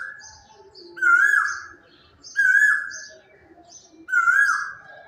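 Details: Quail singing in the quiet of early morning, a loud, drawn-out, slightly rising note three times, about every one and a half seconds, with faint higher twittering between the notes.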